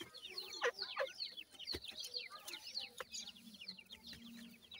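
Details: Dakhni teetar (francolin) chicks give a dense, overlapping chorus of thin, high cheeps and short falling peeps, several per second, over a faint low hum.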